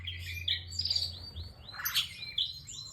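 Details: Bar-winged prinia singing actively: thin high whistled notes and quick chirps, some rising or falling, over faint background hum.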